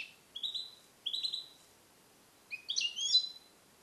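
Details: Captive-bred male European goldfinch, born 2021, song-trained in the Neapolitan passata style, held in a small carrier cage. Three bright twittering phrases: two short rising-sliding notes about a second apart, then a denser tinkling burst.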